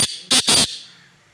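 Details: A black francolin (black partridge, kala teetar) of the "lakha chakri" call type gives three harsh, grating notes, the last two close together and rasping, with a faint hum behind.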